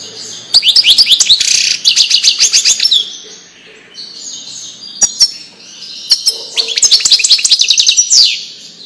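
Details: Wedani-style song of a European goldfinch, used to tutor fledglings: fast, high, tinkling trills in long runs, then a quiet gap with a few isolated notes before another bright twittering burst.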